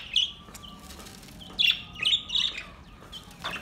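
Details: Relaxed budgies giving sharp high chirps and a few harsher squawk notes, spaced irregularly, with a thin steady tone faintly underneath.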